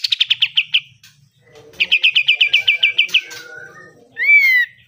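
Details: Pied triller singing, used as training material for caged birds: two rapid runs of clipped chips, about six and then twelve, followed by one loud, drawn-out whistle that rises and then falls.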